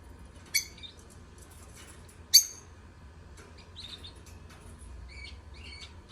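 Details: Lovebirds singing, heard as two loud, sharp high chirps with softer twittering and chattering between them over a quiet background hum.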